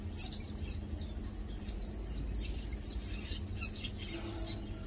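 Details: Lowland White-eyes (Zosterops meyeni) feeding and preening in company; loud, very high, sharp chips open the sequence, then quick thin twittering notes recur every half second or so over quiet low hum.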